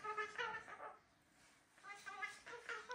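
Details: Indoor pet cockatoos of three kinds (Gang-gang, Red-tailed black, Major Mitchell's) utter quick clusters of harmonic, voice-like syllables. A first group is followed by a short lull, then a second chattering group.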